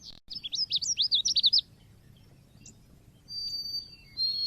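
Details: Lure tutor recording of an Oriental white-eye in the cit keres style: about ten rapid zigzag chirps in a bright high series, a gap, then steady thin whistles.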